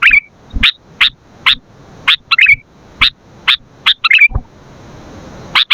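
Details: Sooty-headed bulbul in vigorous voice, used for training and luring birds: evenly spaced crisp chips mixed with short slurred warbles, followed by a brief hiss and a pause before one final chip.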